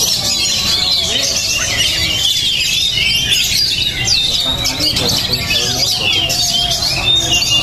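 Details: Oriental magpie-robin, described as highly spirited and tough, singing a dense stream of bright, varied whistles and chattering phrases in a continuous high-pitched flow, with other birds and a steady background hum.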